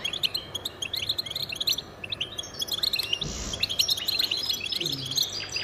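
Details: Male goldfinch singing to defend territory and attract mates: rapid, dense twittering of bright chirps and short trills, high-pitched and continuous, with a brief louder buzzy note midway and a faint low hum beneath.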